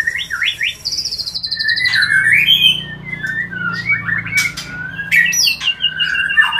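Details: White-rumped shama, sound meant to trigger mating; loud, rich song mixing long high whistles, downward slurs and harsh rasping notes in quick succession, recorded close and indoors.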